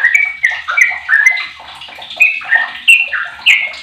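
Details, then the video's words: Fifteen-year-old sooty-headed bulbul kept as a lure to prompt other bulbuls to sing, delivering loud, clear whistled phrases of falling and rising slurred notes in bursts, with brief pauses between phrases. "Trucuk Apapun 100 persen gacor dengan pancingan trucuk umur 15th ni"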